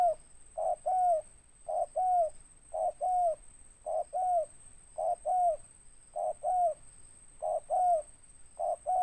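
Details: Spotted dove, a local bird with a loud ngeruk-style voice and closing tindan note, repeating a paired phrase: a short hoot then a longer falling coo, the pair recurring roughly every second in a steady rhythm, with a thin constant high tone behind.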